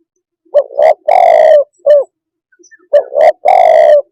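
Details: Soft, low cooing from a spotted dove: a quick double note, a sustained coo and a short final coo, then the phrase starts again.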